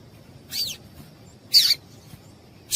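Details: Female yellow-bellied seedeater giving the piado call used to warm up males into singing: three sharp, very high chirps about one second apart over a faint steady hiss.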